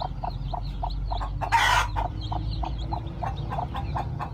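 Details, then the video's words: Newborn chicks hatching with a hen on a farm; evenly spaced short clucks about five per second, chick peeps above, and one loud broad rustle midway. "My new born chick hatching at my farm lovely/hen hatching egg to chicks"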